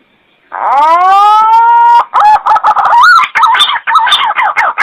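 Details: Green pigeon call used to lure birds: a long, clear, rising whistle with strong overtones levels off, then breaks into a run of wavering, warbling notes that dip and rise.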